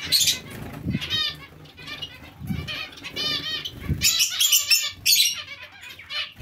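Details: Zebra finch colony housed with Bengalese finches; short nasal beeps in clusters alternate with bright high chirps and thumping wing beats.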